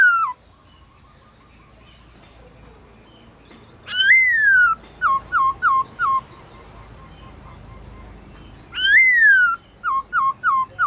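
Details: Black-throated laughingthrush singing at midday in a forest-style voice, a recording used to train other kept birds: loud descending whistles, then bursts of short clipped whistled notes repeated in quick runs, with quiet gaps between phrases.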